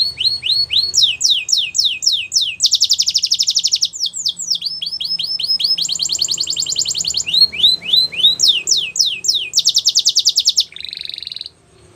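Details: Belgian canary singing a varied song of tours: downward-sweeping whistled notes repeated in series alternate with fast buzzy trills, all high-pitched, ending on a short rattling burst; clean recording with no other sounds.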